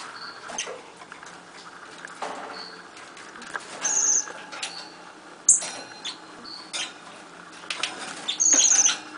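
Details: Nuthatch giving scattered short, high notes at irregular intervals, with several louder high trilled bursts and a sharp click midway, against a soft noisy background.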